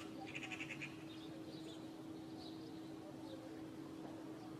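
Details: Courtyard Eurasian magpie, part of a pair present this spring, opens with a quick harsh rattle of several grating notes, followed by softer distant calls over a steady low hum.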